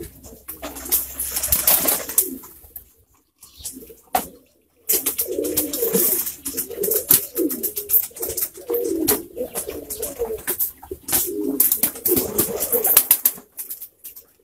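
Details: A group of pouter pigeons gives deep, throaty coos in a steady run of rolling phrases, with brief gaps. Frequent clicks, wing rustles and knocks sound in the background.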